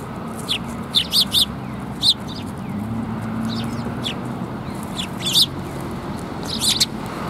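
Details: Eurasian tree sparrows arriving to be fed at a Tenmangu shrine, 10 January 2022: bursts of sharp, high chirps in quick clusters, some doubled, separated by pauses, over a low rumbling background.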